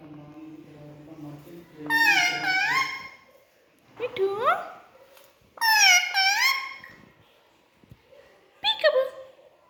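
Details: Caged-pet Indian ringneck parakeet chattering at its mirror reflection indoors, mimicking words like 'katori' and 'mommy' in loud, strained, harmonic bursts. A low droning murmur opens the recording before three separate squawky spoken phrases.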